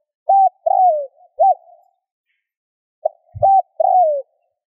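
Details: Mellow spotted dove cooing played to provoke other doves into cooing: a flat hoot, a long downward-sliding coo and a short tail note, then a second phrase after a pause. A brief low thump sounds in the background.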